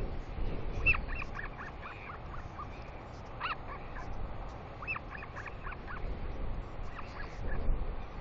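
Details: Excited begging squeals of a royal albatross chick on a New Zealand nest cam as a parent lands for an early-morning feeding, 29 July 2020; rapid strings of brief, nasal, squeaky notes, some louder and higher, against low wind noise.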